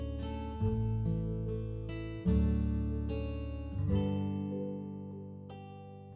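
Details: Acoustic guitar strums and plucked chords ring out and fade, with no animal sounds heard.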